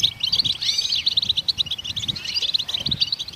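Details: Goldfinch song given to prompt other songbirds, in the wild: fast liquid twitters mixed with a couple of swooping, rising-then-falling whistles, delivered in a rapid, unbroken chattering phrase.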